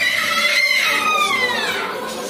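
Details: Eclectus parrot, male and female, giving a drawn-out whistled call that glides slowly downward over about two seconds, with a faint second tone beneath it, heard indoors.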